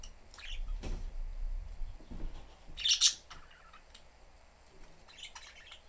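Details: Three pet budgerigars, a father, mother and young bird, in a cage with the door open at home, giving scattered short chirps, one loud burst near the middle, with soft knocks and rustles between calls.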